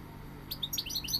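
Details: Half a second of near quiet, then a goldfinch's quick run of high, sweet chirps and tinkling notes, each rising or falling slightly, against a soft low hum.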